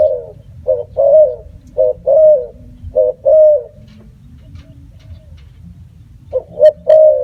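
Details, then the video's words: Spotted dove cooing in a quick run of short and longer notes, then a pause of about two seconds before another three-note phrase ends with a long coo; low hum throughout. "Bird sound spotted dove"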